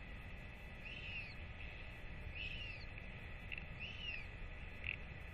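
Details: Royal albatross chick being fed by its parents after a weight check: three rising-and-falling whistled notes about 1.5 seconds apart, partly buried in loud low rumbling noise, with a short sharp note near the end.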